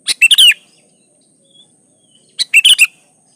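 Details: Lively 'gacor' song of a sooty-headed bulbul (kutilang), played to coax other bulbuls into singing: two quick bubbly, warbled phrases of three or four notes, about two seconds apart, with a faint high hum.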